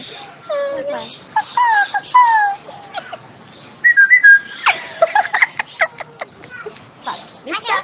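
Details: Bird at a zoo saying 'bye' to visitors: a run of speech-like harmonic phrases with rising and falling whistled tones and short clipped syllables, bursts closely spaced, some sliding notes, quiet background murmur between.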